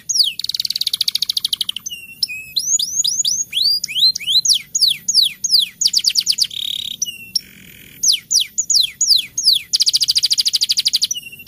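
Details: Canary delivering a rolling song, played to stimulate singing in the rainy season: fast buzzy rolls alternate with rapid runs of rising, sweeping whistled notes, a continuous high-pitched and varied performance.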